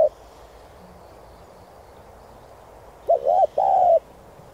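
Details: Spotted dove cooing to stimulate newly caught decoy birds. After a mostly quiet start with a faint low hum, one phrase arrives near the end: a short wavering double coo, then a long sustained coo.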